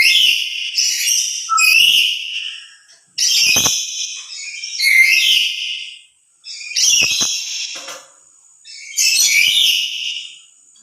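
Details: Harsh, raspy screeches from a solitary lory calling loudly out of emotion, louder than it would be alongside other lories. Around six bursts in quick succession with brief pauses between them.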